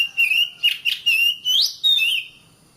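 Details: Oriental magpie-robin song used to train caged birds to sing: a series of clear, loud whistled notes, some sliding upward, broken by short pauses.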